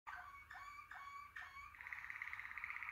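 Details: Waterslager (Malinois) canary singing in the klokkende (bell) style: clear whistled notes that rise with a sharp upward swoop, repeated about every half second, then a fast, even, bubbling roll on one pitch over a low hum.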